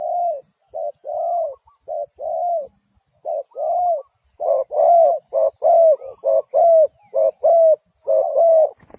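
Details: Spotted dove cooing steadily, low mellow coos in quick succession, roughly one a second, the phrases growing denser and louder halfway through; faint thin whistled notes from another bird sit above.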